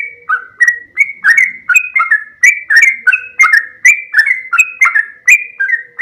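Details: Sooty-headed bulbul singing loudly and close, steady chains of bright whistled notes that dip and rise, delivered roughly twice to three times per second, with a faint low hum underneath.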